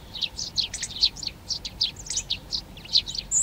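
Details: Lively, closely spaced high chirps from Eurasian tree sparrows occupying garden nest boxes in Přerov, Czech Republic, on 19 March 2020, roughly three or four notes per second.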